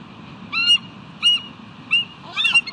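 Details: Adult bald eagle hanging out on the nest rock, July 17, 2018 afternoon, making call outs: four thin, high whistled notes, spaced irregularly, the last one breaking into a quick chattering cluster.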